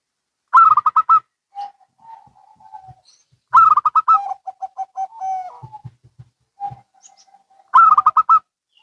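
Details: Zebra doves of local and Bangkok type calling in turn: three loud rapid bursts of staccato coos, each followed by softer lower strings of coos, one ending in a long drawn note.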